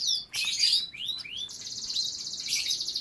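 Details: A canary in captivity among breeding birds and youngsters sings a few sharp upswept whistles, then holds a long, even, rapid rolling trill high in pitch.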